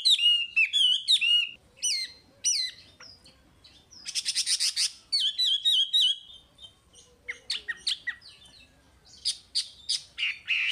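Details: Lively Chinese hwamei song meant for training caged birds: mixed looping whistles, rapid trilled bursts and chattering notes delivered in quick, irregular sequences with short pauses.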